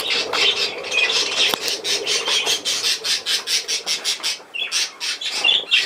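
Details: Budgerigar chatter made of evenly repeated buzzy pulses, roughly several per second, with short whistled notes breaking through toward the end over a low steady hum.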